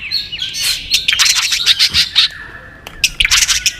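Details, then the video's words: White-rumped shama in competitive singing: dense, high, scratchy chatter in bursts, rapid twittering notes with brief pauses between runs. "chòe lửa hót nhấp đuôi tốc độ. kích chòe lửa hót đấu ức chế."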